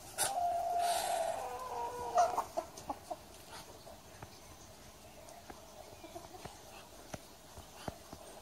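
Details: Muscovy duck calling: a drawn-out, nasal, harmonic note lasting over a second, then a sharp accent and a series of scattered soft clicks and taps fading into quiet.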